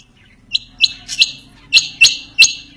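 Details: Calling quail: six sharp, high chirps delivered in two loose sets of three after a quiet start, over a faint low hum.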